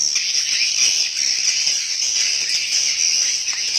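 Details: Swiftlets inside a swiftlet house fill the space with an even, intense chorus of very high twitters and chirps, dense and steady from start to finish.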